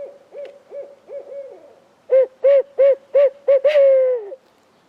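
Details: Unseen Barred Owl in spring woods during a turkey hunt keeps calling and answering with robust return calls: a run of soft hoots swells into loud, evenly spaced hoots ending in a long drawn-out downslurred note.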